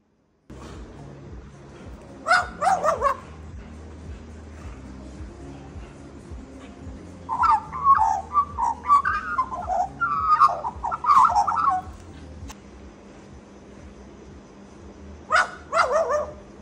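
An Australian magpie mimics a dog, giving short, harsh barks in separate bursts.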